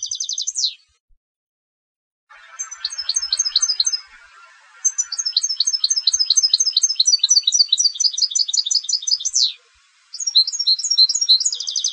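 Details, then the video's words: European goldfinch bred for song competitions: a descending sweep, silence, then long bursts of fast metallic twittering and rolling trills, with a soft low chattering underneath for a few seconds and a final renewed trill. "Canto del Jilguero de Concurso"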